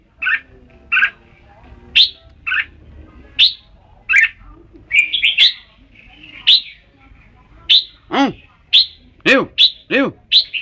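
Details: Red-whiskered bulbul singing short, bright, chirpy whistled phrases, separate notes every half second to a second. Near the end come several lower, arching, harmonic-rich sounds.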